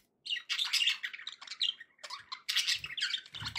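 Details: Budgerigars in a dense, scratchy warbling chatter that runs almost continuously, mixing squeaks, chirps and rasping notes, with a faint low rumble near the end.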